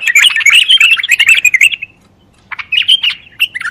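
A bulbul sings a rapid run of bright, warbling notes for nearly two seconds, pauses, then adds a few shorter fluty phrases.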